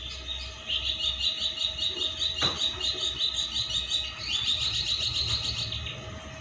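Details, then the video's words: Tame pet black-naped oriole waiting for the fast to be broken; a sustained stream of fast high chattering notes repeated about two or three per second, with one sharp click partway through. "burung jinak nunggu buka puasa"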